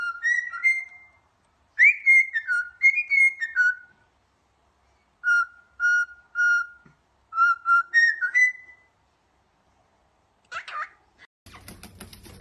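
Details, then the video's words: Pet parrot whistling indoors around bath time, a run of clear whistled phrases that rise and fall, several short bursts with pauses, then a brief squawk and clattering noise at the end. "Parrot Talking"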